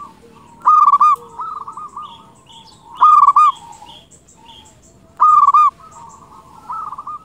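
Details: Local zebra dove singing actively, played to lure wild doves. Three loud stuttered coo phrases spaced about two seconds apart. Quieter drawn-out coos and faint higher chirps sound in between.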